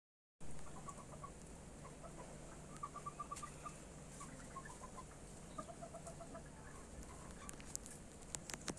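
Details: Male red junglefowl searching for a place for a hen to lay her egg: soft, rapid clucks in short runs of about six to eight notes, separated by pauses, over steady background hiss and hum.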